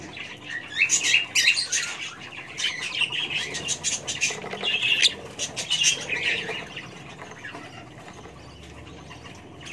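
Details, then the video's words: Kingfisher calling: sharp, high chirps and squawks in quick, irregular bursts for about seven seconds, with soft flapping-like rustles, then tailing off into quiet background. "fisher birds sound"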